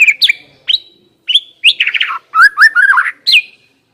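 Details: White-rumped shama singing as a lure to encourage a bird to start singing: loud rich phrases of whistled, sliding and warbled notes in quick succession, with brief gaps between bursts.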